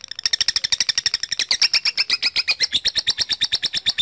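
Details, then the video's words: Long ngekek of a lovebird calling out to a rival, used as a lure: rapid, rattling chips run evenly for four seconds, brightening and rising slightly midway, with no other sounds. "PANCINGAN LOVE BIRD MEMANGGIL LAWAN AGAR RAJIN NGEKEK PANJANG"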